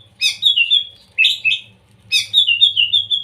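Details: Young white-rumped shama with a provoking song for rousing other shamas: harsh, buzzy note clusters each dropping into a short whistled tail, three phrases about a second apart.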